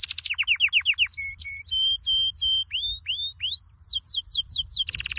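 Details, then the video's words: Canary training song of clear separated phrases: a row of falling slurred notes, short flat whistles, repeated level notes, rising upsweeps, then falling slurs and a brief fast trill. "Your canary will NEVER STOP SINGING With this training song"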